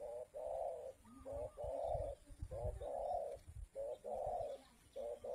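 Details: Spotted dove of the local 'kuk 2' type, recorded as a lure for wild birds: a short clipped note followed by a longer hollow coo, repeated steadily over a low background rumble.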